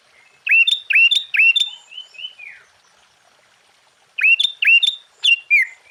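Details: Sooty-headed bulbul singing vigorously, used to provoke other bulbuls: rapid runs of loud upswept, hooked chirps ending in a falling slur, a short pause, then another run of similar notes.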